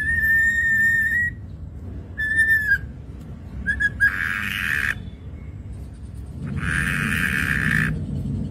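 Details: Chatty ashy drongo singing as a lure: clear level whistles and short whistled notes, broken by two harsh, buzzy, noisy bursts, over low background rumble.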